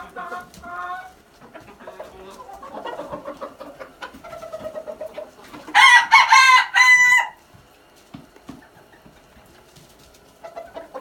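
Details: A red junglefowl gives a single strong, hoarse crow in stepped segments lasting about a second and a half, set against a chorus of softer background bird calls and chirps.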